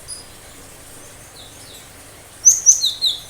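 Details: Cinereous tit in energetic 'tembakan tajam' song that other birds are said to answer and imitate; a soft faint note early, then four sharp, high, clipped whistles in quick succession near the end.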